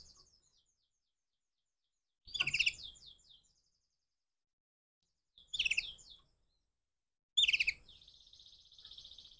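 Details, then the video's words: Crossbred canary in the morning singing three loud bursts of high, rapid chirping notes separated by silent pauses, the last one running into a long, steady, buzzy trill. "persilangan kenari pagi hari"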